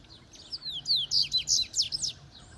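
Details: Double-collared seedeater (coleiro) from Itaguaçu, Espírito Santo, Brazil, singing a quick burst of high, sharp, slurred notes that sweep downward in rapid succession, strongest through the middle second, over a faint low hum.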